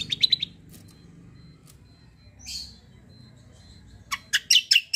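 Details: White-eye (kecial) singing a combo song with cucak-like phrases: a quick burst of high notes, a soft buzzy note, then a rapid series of loud sharp chirps at the end over a low background hum.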